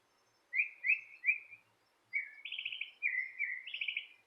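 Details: Outdoor bird near a porch gives three downslurred chirps, pauses, then alternates a lower chirp with higher buzzy trilled notes, in quiet surroundings.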